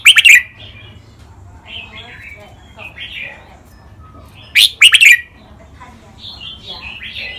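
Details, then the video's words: Red-whiskered bulbuls kept in cages, two males singing in a training recording. Two loud, bursting whistled phrases are heard about four seconds apart. Faint, soft warbles fill the gap between them. "นกกรงหัวจุก เสียงร้องเล่นริกเบิ้ล ลากหวาย แม่บท นับดอก ครบเครื่อง"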